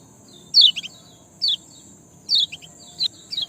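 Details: Sparrow chirping, used as a lure to make reluctant birds sing: sharp, down-slurred chirps, often in doubled pairs, about one burst per second, over a steady high-pitched whine and a faint low background hum.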